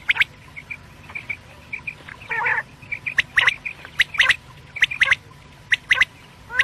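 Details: Quail giving morning calls used as a lure: crisp, clipped notes in small bursts roughly every second, with faint soft chirps between and one rough nasal squawk early on.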